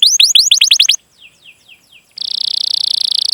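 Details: Canary chirping as a training prompt for young or silent canaries. A quick burst of rising notes is followed by a few soft falling chirps, then a smooth, buzzy steady trill.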